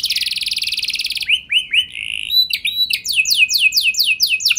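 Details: Lure song for canaries to get others singing long rolls. A dense buzzy trill opens, followed by a few slurred whistles and a sustained note, then a run of quick, high falling sweeps.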